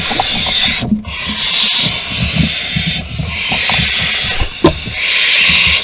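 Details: In Théding, France, on 8 August 2020, barn owl nestlings beg during a meal delivery with a loud, almost unbroken rasping hiss that swells and fades, briefly cut by a short gap and a couple of knocks.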